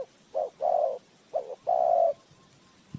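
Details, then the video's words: Spotted dove cooing as a lure for bird trapping: two low, hollow coo phrases, each a short note followed by a longer steady drawn-out coo, with a quiet pause between phrases. "เสียงนกเขาใหญ่,Bird Trap,Tiếng chim cu gáy mồi chuẩn gáy gọi cực hay"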